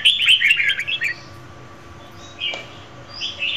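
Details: Female red-whiskered bulbul song aimed at stimulating a male, one quick warbling burst of chirpy notes at the start, then quieter scattered chirps and a single click.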